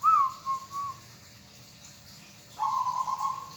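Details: Cooing of a local zebra dove kept as a hobby bird: a rising note followed by two soft short coos, a quiet gap, then a long vibrating trilled coo, with faint hiss behind.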